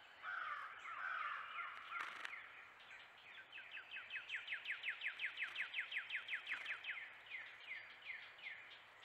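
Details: Several vocal wrens at a bird bath: harsher chattering notes at first, then a long, even rattle of quick downslurred notes, about four per second, fading near the end. The background is quiet, with soft outdoor hiss.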